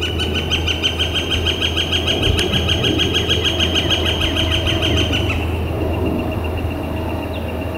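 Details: Northern flicker calling in spring, April 28 2014, warm weather under a clear blue sky: a long, steady volley of rapid, piercing notes about three per second for five seconds over a persistent low mechanical drone.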